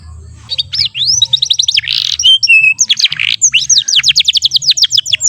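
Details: Young AF canary learning to sing: rising whistles and quick trills, a short harsh buzzy burst, then a long run of rapid repeated downward-sweeping notes, with a faint low hum underneath.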